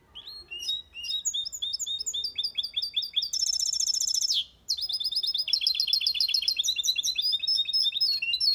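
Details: Goldfinch × canary hybrid (mule) singing a clean, error-free Malaga-style (limpio copia) song, a fast tinkling run of twittering notes with a sustained buzzy trill, used to stimulate male goldfinches and hybrids to sing and teach chicks.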